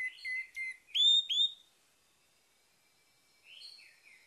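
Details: Orange-headed thrush in morning song, played to restart a bird gone quiet: a brisk phrase of rising and sliding whistles in the first second and a half, then silence and a softer warbled note at the end.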